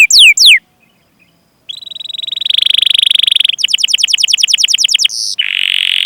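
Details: Canary song used to coax beginner or silent canaries into singing: a few falling chirps, a brief silence, then a sustained buzzy roll, a rapid pulsed trill, and a final rasping buzz.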